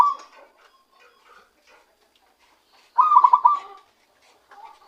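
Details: Lure-caught zebra dove beginning to sing its real song: faint scattered soft notes, then one clear rolling phrase of fast, throbbing, mid-pitched pulses, followed by a quiet note near the end.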